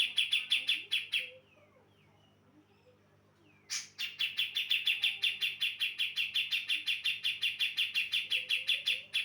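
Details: Female brown-cheeked bulbul of Java singing to lure males: a short run of sharp chirps, about two seconds of near quiet with faint low twitters, then a long fast string of ringing notes.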